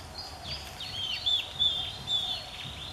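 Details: Oriental Magpie Robin singing a love song at a nature study centre of Mahasarakham University, Kham Riang, Kantharawichai, Maha Sarakham, Thailand, on 8 February 2014; a continuous, varied warble of bright whistled and slurred notes, rising and falling, over a steady low background hum.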